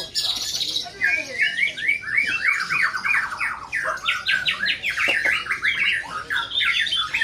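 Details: White-rumped shama performing in a contest, pouring out a fast, varied run of loud whistled and buzzy slurred phrases, rising and falling notes packed tightly together, with other birds chattering behind it.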